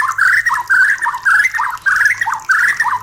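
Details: White-rumped shama kept caged, breeding-stimulation song: a phrase of quick wavering chirps repeated about four times, each lasting under half a second, steady in pitch with short gaps.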